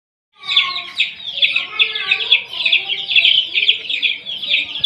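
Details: Several newly acquired domestic chicks, kept under a heat source, peeping continuously after a short silence. The high, thin peeps slur downward and overlap densely, with faint lower harmonics below.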